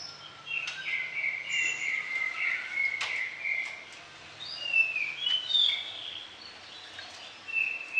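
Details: Orange-headed thrush singing varied fill-in phrases, used to train other birds mornings and evenings: a continuous warbling flow of fluty whistled notes with a few sharp clicks, over a faint low hum.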